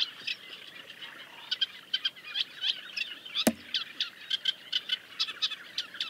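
Great reed warblers give harsh, grating, croaky chattering notes, rapidly repeated and overlapping, with one sharp click midway.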